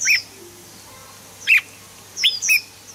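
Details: Red-whiskered bulbul song for prompting birds: three brief, bright, slurred whistles, the last a quick double, separated by quiet gaps over a low hum.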